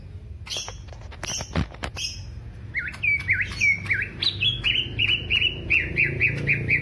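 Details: Greater green leafbird from Alas Purwo, Banyuwangi, Indonesia, caged during a mental test of fighting character; harsh clicks, then a fast run of repeated looping whistled notes, about three to four each second.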